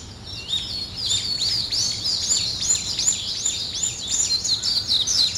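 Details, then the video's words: In the morning, birds sing high arching chirps that swoop up and down in a steady series, growing busier toward the end over quiet hiss. "아침을 깨우는 새소리 2 ,Birds wake up in the morning 2"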